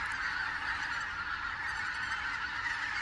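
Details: Flock of greater white-fronted geese, suddenly back in the area on 16 October 2016 in autumn; a continuous, blended chorus of countless far-off yelps forming an unbroken wall of sound.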